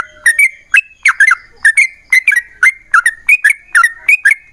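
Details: A yellow-vented bulbul in lively long song ('ropel panjang'), played to make other bulbuls respond; bright bubbly notes, often doubled, repeat more than once per second with clicky starts.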